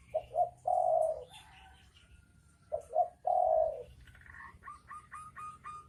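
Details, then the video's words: Spotted doves, a male and a female: two phrases of low, soft cooing, each two short notes and a long, drawn-out coo, with twittering of another small bird toward the end. "Suara Burung dekukur jantan dan betina"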